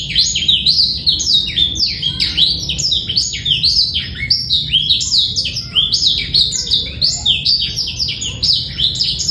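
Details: Unbroken high-pitched warbling from a male black-throated canary, recorded as a training song for young birds; rapid downward-sweeping chirps repeat in tight clusters throughout, loud and clean.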